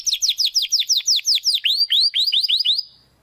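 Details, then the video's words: Training song of a Belgian canary, for young and adult birds: a steady series of quick descending whistled notes, then rising upswept notes, closely repeated, stopping abruptly before a short silence. "CANTO DO CANÁRIO BELGA TREINAMENTO"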